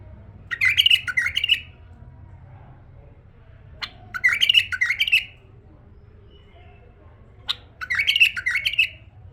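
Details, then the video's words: A tame male bulbul gives three loud, fluty, bubbling phrases, each about a second long and spaced roughly three seconds apart, over a low steady hum. "أحلى تغريد بلبل فحل أليف أسمع نقاوة الصوت"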